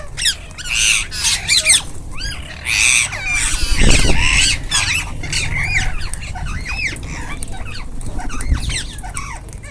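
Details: Rose-ringed parakeets eating as a group, loud shrill screeches and arched squawks overlapping continuously from many birds, with a low thumping noise near the middle.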